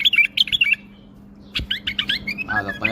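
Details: A tame bulbul gives a rapid burst of sweet slurred whistles, falls silent for a moment, then resumes with a quicker chirping run as a man begins speaking over a low background hum.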